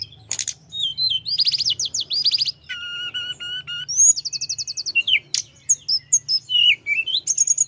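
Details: Rolling song of a mountain flowerpecker used to provoke rivals, with sharp high chips, a repeated flat whistled note series and fast buzzy trills strung together, over a constant low hum.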